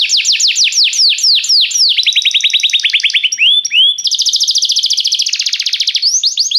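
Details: Restless singing canary with a busy high song: fast falling sweeps, a run of quick lower repeated notes, then a long rapid rattling trill and renewed slurred whistles.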